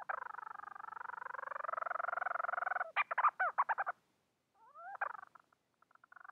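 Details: Bermuda petrel calling for a mate with a drawn-out rapid pulsed purr, followed by a series of loud choppy arched notes, a pause, and a rising glide into scattered clicks.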